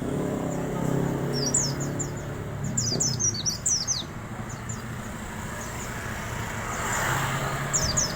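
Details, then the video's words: Wild Oriental white-eye's thin 'riwik' song: a burst of high falling whistles early on, then quiet with low steady noise, and a few more notes near the end. "kicau pleci ngalas bablas riwik halus"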